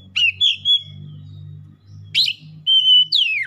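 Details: Oriental magpie-robin worked up and singing, showing its isian: clicky onset into a sustained whistle, a brief harsh note, then a steady whistle sliding down into a falling sweep, over a low hum.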